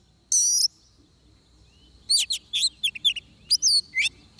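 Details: During a trapping session with a singing decoy, an oriental magpie-robin gives one long harsh high note, falls silent for over a second, then pours out quick, varied whistled and slurred notes.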